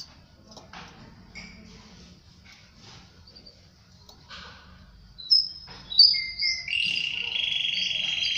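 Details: Canary singing near its female around mating; quiet background with faint scratchy sounds for about five seconds, then loud high whistled notes and a sustained buzzy trill.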